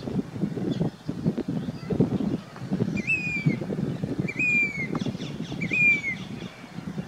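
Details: Grey-bellied cuckoo singing, a summer migrant in Rajasthan, India: three loud, clear whistles, each sliding slightly downward, spaced roughly one and a half seconds apart, over a low rumbling background.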